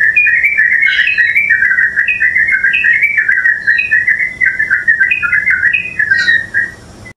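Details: Continuous bubbly chatter of a yellow-vented bulbul, called purak or luklak in Tagalog, in the Philippines: jumbled mid-pitched warbling notes with scattered short, higher upslurred whistles, fading out at the end.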